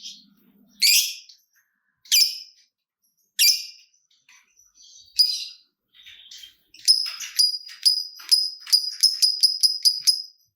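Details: Lovebird calling to spur other lovebirds to sing: several separate harsh, broadband squawks, then a rapid, accelerating string of short high chirps.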